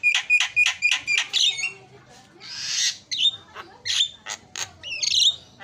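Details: Javan myna song as a lure to make a silent myna sing: a run of repeated sharp whistled notes, a breathy hiss, then scattered squawks and bent whistles.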